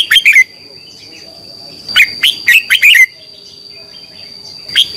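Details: A red-whiskered bulbul sings its morning training song: short bursts of lively whistled notes, a brief opening phrase, then a longer run of five notes, and another begins at the end; faint steady high tone throughout.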